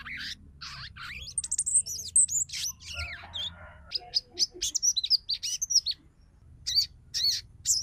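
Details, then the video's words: A female sogon calls busily to a male in the ngeriwik style, a lure for males to sing and reach breeding condition. Dense, high, thin chirps and twitters come in quick uneven bursts, pausing briefly before resuming. "SUARA SOGON BETINA MEMANGGIL JANTAN"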